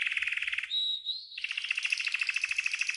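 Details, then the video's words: Green canary training song: buzzy rapid trill, a short pure rising whistle, then a long steady rattling trill of evenly repeated notes. "The Best GREEN CANARY 12h Training Song"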